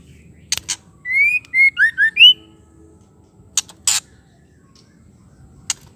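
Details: Female white-rumped shama whose call makes male shamas sing and turn aggressive. Sharp clicks precede a whistled phrase: a rising note, a flat note, two falling slurs and an upswept note. More scattered clicks follow.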